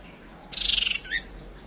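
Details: Single call of a female white-rumped shama played as a decoy to lure a male: a loud, rapid, buzzy trill lasting half a second, followed by a short rising whistle, over low hiss.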